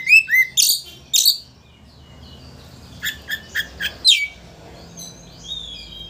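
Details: Song of an Oriental magpie-robin used to anger an opponent so it opens its tail, with two fast downslurred whistles and loud rasping bursts, then a run of five evenly spaced clipped notes and a thin high whistle.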